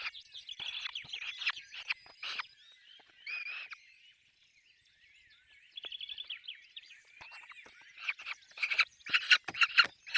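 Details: Peregrine falcon at a nest with chicks: bursts of harsh, raspy chattering notes come in loose clusters, broken by a quiet pause mid-way, then grow louder and denser toward the end.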